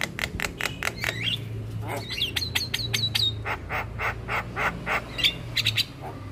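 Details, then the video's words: Black-winged myna song used as a tutor recording to stimulate quiet mynas: rapid series of sharp broadband clicks and harsh notes mixed with short whistled upslurs, over a steady low hum. "Kicauan Burung Jalak Kebo Full Isian pas Untuk Masteran dan Pancingan Jalak Malas Bunyi"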